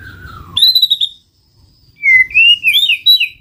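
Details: White-rumped shama song used to lure birds for trapping: a slow falling whistle, then a bright wavering high phrase, a short pause, and a second run of rich, varied whistled notes climbing and twisting.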